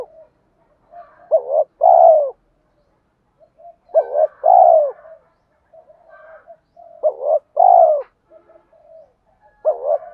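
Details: Male and female spotted doves calling, used to provoke other doves into cooing during training. Four two-part phrases: a short wavering note, then a longer, louder, falling coo, about every three seconds. Faint soft chatter is heard between phrases.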